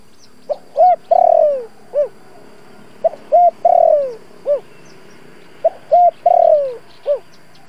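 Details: Spotted dove with a local 'thổ' voice, used as a decoy to call and stir wild doves. Mellow coo phrases of short notes, a long falling coo and a final note repeat about every two and a half seconds over a faint steady hum.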